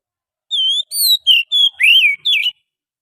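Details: Wild forest Oriental magpie-robin song used as a bird-catching lure: six clear whistled phrases over 2 seconds, sliding and looping notes, some rising, others falling, one downward swoop, in a silent background.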